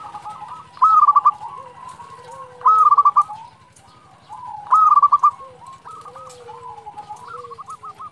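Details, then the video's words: Local zebra dove (perkutut) singing vigorously, used to provoke rival doves into answering. Repeated phrases of a short coo and a quick bubbling trill, about every two seconds, over a lower, softer dove coo. "Perkutut lokal gacor Suara ini sangat cepat bikin lawan nyaut"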